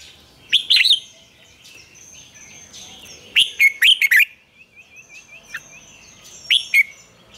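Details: Red-whiskered bulbul lure song for morning training, in the double-note style of an old wild bird: lively, whistled, chattering phrases, then a run of soft, quick, wavering notes, then a final short burst.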